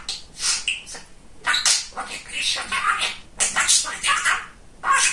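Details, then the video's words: A chatty pet budgerigar, a male, babbles imitated words in hissy, high bursts, about a second each, separated by short gaps. "Говорящий попугай"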